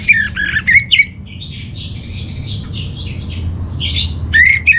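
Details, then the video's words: An orange-headed thrush (Geokichla citrina) sings a varied run of loud, sharp whistles, rising slurs and scratchy chatter as a master song for calming captive birds, with a low room hum beneath. "Burung ANIS MERAH Dirumah Baik EMOSI & Birahi dengan Mendengarkan Kicauan Masteran ini"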